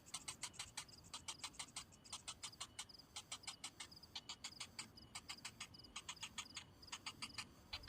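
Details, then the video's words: Cinnamon bittern chick, hungry and waiting in vain for food from its parent, utters rapid rasping ticks in uneven bursts, several per second, over a steady high-pitched insect chorus. "NASIB BAYI BURUNG BELKOK/BAMBANG SAWAH, SUDAH LAPAR TAPI INDUKNYA TIDAK BAWA MAKANAN"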